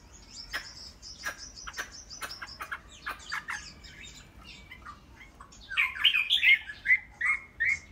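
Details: Chinese hwamei, a tame cage bird, starts with scattered sharp clicks and chips, then bursts into loud rolling whistled phrases that loop up and down toward the end.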